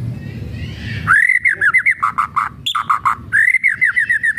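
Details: Murai batu, the white-rumped shama, delivering kretekan-style song meant to rouse other shamas: rapid bright whistles, arched slurred notes and clipped lower chips strung in quick bursts, loud and close over a quiet background.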